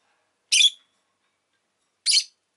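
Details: Rosy-faced lovebird kept as a pet giving two shrill, harsh chirps about one and a half seconds apart, each short and raspy, with silence between them.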